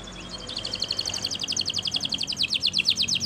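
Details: Spanish Timbrado canary training song: a fast run of bright, evenly repeated chirping notes, starting softly and growing louder, with faint low background hum.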